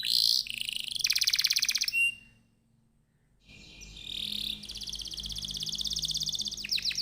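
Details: Canary singing as a lure to prompt other canaries: fast buzzy trills broken by a second of silence, then a long dense rolling trill with faint background hum.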